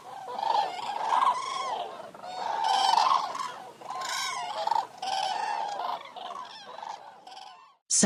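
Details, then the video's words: Several Eurasian cranes trumpet together in loud, rolling, bugle-like calls that overlap almost without pause; a sharp click cuts in at the very end. "Birds Sound Effect Eurasian Cranes"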